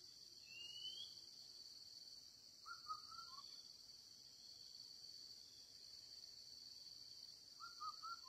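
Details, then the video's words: Crowing of a young red junglefowl kept as a trapping decoy: two brief, choppy, mid-pitched crows about five seconds apart. A constant high insect hum fills the background, and a single rising whistle from another bird comes first. "Bẫy gà rừng 8/Wild chicken trap 8/Perangkap ayam liar"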